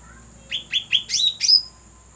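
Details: Cucak rante call for luring birds: five quick chirps in about one second, each a sharp upward-flicking note, the last two louder and higher, over a faint steady high hiss.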